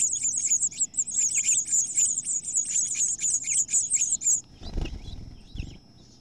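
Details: Two female house finches battle over a nest as the chicks are evicted; rapid, very high chirps repeat about four per second, then stop, followed by low bumping and rustling noises.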